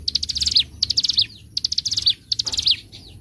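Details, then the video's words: Bar-winged prinia in a training master recording: four quick bursts of very high, rattling stacked chirps, each closing with a downslurred note, in the rapid ngebren and nembak style. "Masteran Burung CIBLEK GUNUNG (CIGUN) Gacor N3mbak, Ngebren - Suara Jernih Durasi Panjang"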